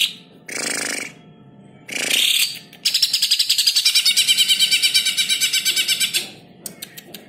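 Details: Greater green leafbird song, a training recording: two harsh, noisy bursts, then a long, rapid, high trill of clipped repeated notes, ending in scattered ticks.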